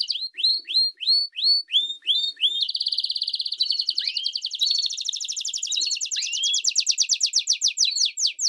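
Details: Canary song of the campainha style with chirps, for training young canaries: clear upswept whistles repeated about three times a second, then dense ringing trills with occasional rising slurs.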